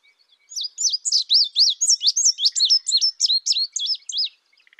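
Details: Indigo bunting giving a fast run of about thirteen high, sharp up-and-down chirped notes, evenly paced over nearly four seconds, with little else around.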